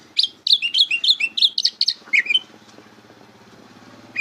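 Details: Greater green leafbird song, offered as a tutor recording for young birds learning to sing: a rapid string of loud, bright whistled notes jumping up and down, about a dozen in two seconds, then quiet with faint chatter.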